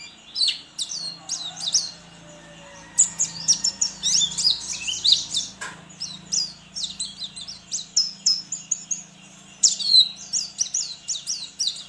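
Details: A kept white-eye from Sambas, West Kalimantan, entered in an online song competition, sings a rapid, high, twittering song of jumbled chirps and short trills in near-continuous bursts over a faint low hum.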